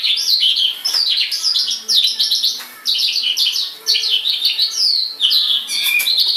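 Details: White-rumped shama, a tame bird released outside its cage, delivering energetic varied song: rolling warbled phrases and sharp whistled notes in bursts separated by short gaps.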